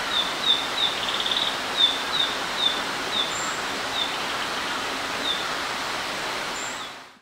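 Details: Narcissus flycatcher fledglings, recorded 17 June 2021 in Hiroshima, Japan, give thin, high chips, about one every half second and then slowing, over a steady rushing background like running water.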